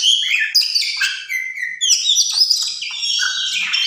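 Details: Tame oriental magpie-robin singing a dense, continuous high warble of whistled and chattering notes, many short slurs layered quickly one after another.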